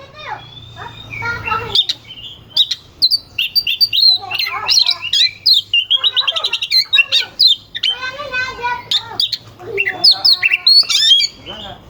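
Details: Oriental magpie-robin, kept for song contests, pouring out a dense varied song of rapid chatters, trills and piercing whistles, played to make rival birds sing more fiercely; a low hum runs through.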